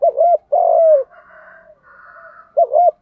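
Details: Spotted dove in the 'Đồng' cooing style, a recording used to push newly caught birds into cooing; a short double note opens, then a long, low, falling coo, then a faint soft murmur and another short double note.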